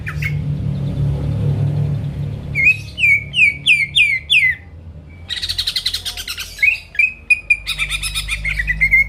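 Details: Energetic greater green leafbird song meant to provoke rivals: a brief whistle, then a quick series of downward-slurred notes, a buzzy rattling stretch, and repeated short clear whistles ending in a rising note, with low hum beneath.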